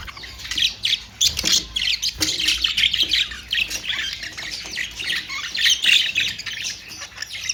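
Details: Australian parrots, budgerigars, squawking and chirruping in quick, irregular bursts of shrill, grating notes mixed with softer warbled chatter.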